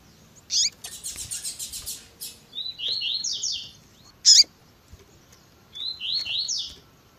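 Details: Double-collared seedeater, tui tui zel zel song with a female's calling, edited to stir a male: a brief chip, a pulsing buzzy trill, then two groups of rising slurred whistles separated by a sharp high note.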